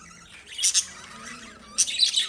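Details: Lovebird chirping: two short bursts of sharp, very high squeaky chirps about a second apart, with a quiet stretch and a faint low hum between them.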